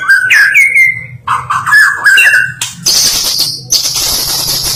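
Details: Prize-winning white-rumped shama singing loud, varied whistled phrases, some rising and held, others quick and broken, then giving way to a dense hissing buzz with high noise through the second half.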